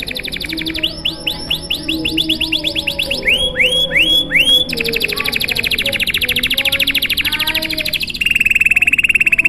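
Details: Canary in full long 'gacor' song, luxurious style, used to coax other canaries into song: rising whistled sweeps, a few slower swooping notes, then a long rattling high trill and a steady buzzing tour at the end.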